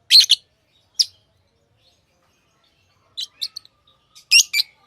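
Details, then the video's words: Tame lovebirds: two loud raspy chirps open, a quiet pause follows, then a quick run of thinner chirps and a final buzzy burst. "Love birds Sounds | lovebirds chirping sounds"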